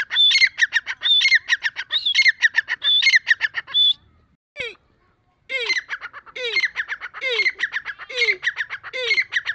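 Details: Deccani partridge in breeding season giving loud grating phrases, some with a shrill whistled note, repeated roughly every second; a brief pause near the middle with a single click before the calling resumes.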